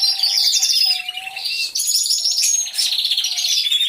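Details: Canaries singing together in an aviary, picked up by a hidden camera: high rapid trills and warbles over repeated low, steady, flute-like tones held for about half a second.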